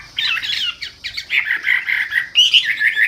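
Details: A Chinese hwamei (Garrulax canorus) in full, loud, clear song pours out rich, slurred whistles and quick warbled phrases that rise and fall without pause, with no other sounds.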